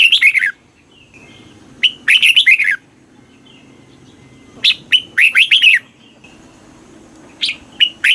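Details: Red-whiskered bulbul song, southern master style, played in Thailand to excite caged birds and teach youngsters: a fragment of one phrase, then two full rollicking runs of rapid slurred whistles, with a faint soft note between them.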